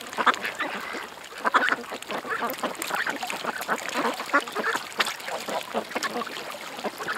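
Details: Ducks crowded at a creek produce a continuous jumble of short, raspy quacks from many birds at once, calls tumbling over each other without a break.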